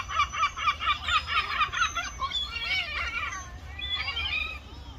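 Gulls give a quick run of nasal, yelping calls, about two a second, then several birds overlap in a looser chorus of mewing cries.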